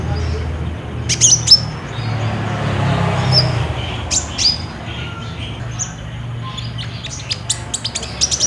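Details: Olive-backed sunbird captured on a Samsung J5 phone as a song prompt for caged birds: bright, piercing high chips and brief twitters in loose clusters, separated by short pauses, with a low mechanical hum in the background.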